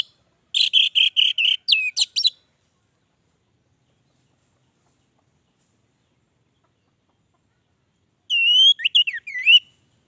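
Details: Orange-headed thrush (anis merah) in 'gacor' song: a quick series of repeated whistled notes and sharp slurs, then a long silence, followed by another brief burst of twisting whistles.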